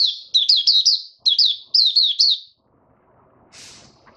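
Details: Caged white-eye producing three quick bursts of high, wavering tweets, then falling silent apart from faint rustling and a brief scratchy noise.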